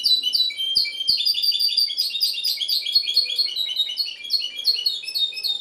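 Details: Goldfinch hybrid from Ksar el Kebir, Morocco, singing a fast, unbroken run of bright, tinkling twitters and chirps, with high trills repeated several times a second and a few faint clicks underneath.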